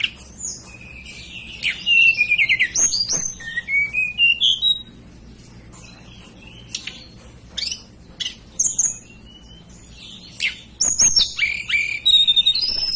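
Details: Indonesian hill blue flycatcher, native to the Banten and West Java mountains, singing long sequences of high whistled notes that step down and up, broken by pauses, sharp ticks and rapid twittering bursts.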